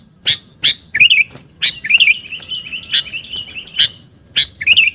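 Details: Sooty-headed bulbul lure call, vigorous: sharp clicking chips about twice a second, broken by bubbly warbled phrases near the middle, then a long wavering trill and a short final flourish.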